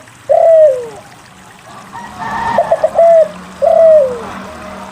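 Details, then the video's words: Spotted dove cooing to prompt other doves to sing: a long, falling coo, a short stutter and another coo, partly blurred by background noise. "SUARA PANCINGAN DERKUKU GACOR UNTUK MALAS BUNYI"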